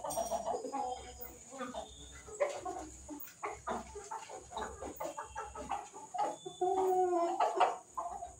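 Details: White Leghorn chickens fighting give harsh, irregular clucks and squawks in quick bursts, with faint voices and a steady high hiss behind.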